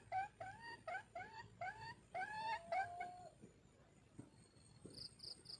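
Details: Hen red junglefowl giving a lure call: repeated bright, nasal notes with rich overtones, spaced under half a second apart, ending in a longer sliding note, with soft insect chirps afterward.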